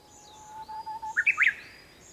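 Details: Early-morning Japanese bush warbler song at sunrise, 4 May 2021. A low whistle with a few soft wavering notes leads into a loud run of sharp rising notes. Other birds twitter faintly in the background.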